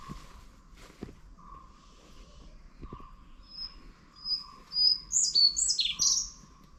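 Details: Indian blue robin (Larvivora brunnea) calling from undergrowth at Nandi Hills, about 1,400 m, outside Bangalore: a few thin, high whistled notes, then a quick jumbled burst of sharp falling phrases, over an insect-like hum and handling bumps.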